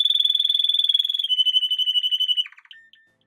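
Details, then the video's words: A Spanish Timbrado canary of the continuous type sings an unbroken, metallic trill, like an old doorbell or classic telephone ringing. "Por aquí os dejo unos segundos para que sepáis como suena el canto de un canario timbrado continuo."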